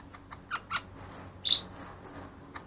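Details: Short lesser green leafbird phrase, used to prompt quiet birds to sing: a few soft chips, then thin, very high whistles and one sharp squeaky note, quickly delivered.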